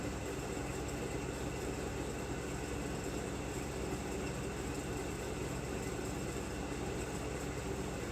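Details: Steady, dense mechanical rumble like an idling engine or passing train fills the whole recording, with no animal calls heard.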